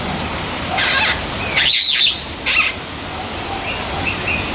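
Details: Long-tailed Glossy Starling at Umgeni River Bird Park, Durban, on 12 December 2015, giving three harsh, grating bursts about a second apart, with faint thin whistles after and a steady background hiss.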